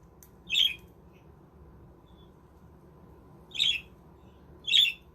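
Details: Caged budgerigars in a homemade aviary village utter three rasping squawks, the first alone and the last two about a second apart, over a steady low background hum.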